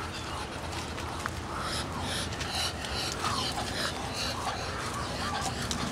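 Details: Male Muscovy ducks (drakes) hissing loudly while bobbing their heads to attract a mate: breathy, noisy bursts repeated in quick succession, with brief squeaky grackle calls in between.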